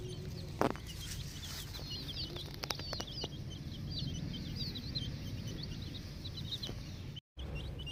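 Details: Chorus of 10-day-old chicks on a poultry farm: a string of thin, high cheeps repeated quickly by several birds, mixed with sharp tapping and clatter over a constant low-pitched background drone.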